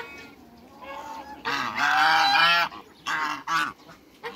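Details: African geese, a pair kept in a backyard alongside other waterbirds, calling loudly: one long, harsh, rasping honk of about a second, then two shorter honks in quick succession, with quieter honks before and after.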